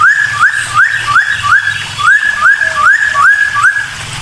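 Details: Agitated cucak timor song meant to set other birds off singing: bright upslurred whistles that level off, repeated steadily about every half second, over a faint low background hum.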